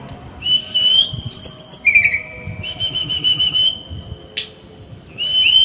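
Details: Small bird in a masteran recording of dense, rough 'tembakan' song: long level and slightly rising whistles interrupted by high chattering chips and a harsh burst, repeated, over soft low background noise.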